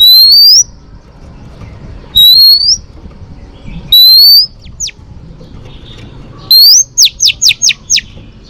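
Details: Female Oriental magpie-robin singing to stimulate males, a recording used for training. Loud upswept whistles repeat every couple of seconds. They end in a quick run of five sharp descending notes over a low background hum.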